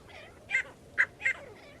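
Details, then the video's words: A partridge, likely grey francolin (teetar), used as a call for trapping partridges, gives three harsh, ringing notes within about a second, the middle one sharpest, against a faint hiss of background noise. "तीतर पकड़ने की आवाज"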